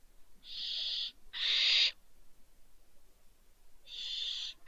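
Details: Fallen barn owl chicks, a pair, at Riet Vell in Spain's Ebro Delta in December, producing loud noisy hisses; two close together, then a long pause before a third.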